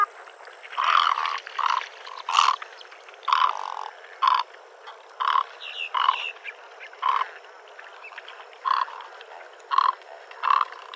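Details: Great egret giving short, harsh croaks about once a second, each a rough burst with the same mid-pitched hoarse tone, some faint overlapping croaks behind.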